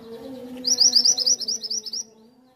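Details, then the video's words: A mantenan (small minivet) gives one brief, fast series of high, sweet upslurred notes that fade toward the end. A faint, steady low hum continues behind it. "Burung mantenan/kuniran"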